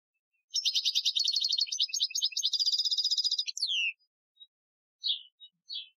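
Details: European goldfinch of the Algerian type singing a training song, recorded in 2015: a three-second burst of rapid, bright twittering notes, then a downward-slurred whistle and a few short separate chirps, with a quiet, clean background.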